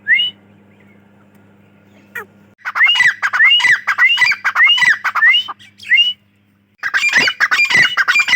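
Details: Dakhni teetar, the grey francolin, giving a rapid run of shrill upward-slurred notes in two loud bursts separated by a brief silence, harsh and crowded with echoing overtones; low hum early on.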